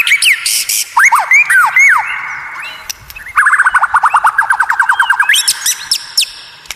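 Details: White-rumped shama song called unique and rare, with slurred whistles sweeping downward, then a long, fast series of repeated rising notes and sharp clicks.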